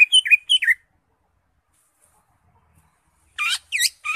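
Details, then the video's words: Greater green leafbird (cucak ijo) performing ngekek song: short clusters of sliding whistled notes dipping and rising, then a long pause before another loud burst of hooked, slurred notes. "CUCAK IJO SUPER NGEKEK"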